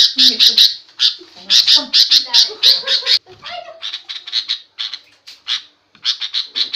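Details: Noisy sooty-headed bulbul calling, a sound said to provoke other birds into angry replies; fast bursts of harsh chattering notes, then sparser calls broken by short silences.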